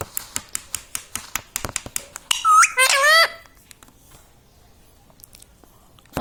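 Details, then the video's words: Indoor pet parrot said to repeat 'mummy papa'. Evenly spaced dry clicks lead into two short, harmonic, voice-like calls, one rising and one wavering, then near silence before a final clipped note. "parrot talking mummy papa"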